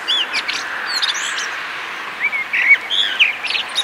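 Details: Eurasian blackbird song: low warbled phrases near the middle and end of the clip, mixed with thin high twittering notes against a steady outdoor background hiss.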